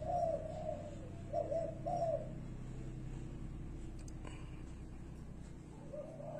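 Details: Spotted dove perched on a rubber tyre cooing "guru": three gentle, low, rolling coos in the first two seconds, then a quiet stretch with a low hum and a faint knock, and one more coo beginning at the end.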